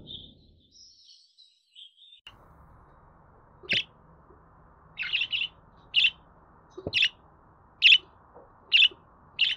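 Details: Budgerigar sounds meant for playing to pet birds to get them singing: after a quiet start, short harsh chirps, some doubled, come about once a second over a steady low hum.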